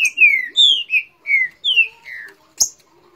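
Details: Green-winged saltator from Rio de Janeiro in a noisy exchange with a neighbouring bird, delivering a fast run of clear, downward-slurring whistles, six notes in quick succession, then a brief sharp click.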